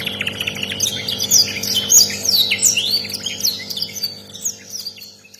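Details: Canary tutor song described as rare, with quick high chirps and sharply swept whistled notes in irregular bursts, the phrases fading toward the end, over a constant faint low hum.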